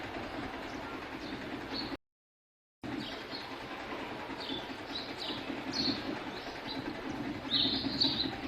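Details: House sparrows chirping while bathing give short, bright chirps in scattered bursts, louder near the end, over a steady low rumble like passing traffic or a train.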